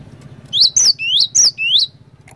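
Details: Cinereous tit in full voice, played to make other tits sing along: five sharp upward-sweeping whistles delivered rapidly, alternating slightly in pitch, with a soft low hum behind.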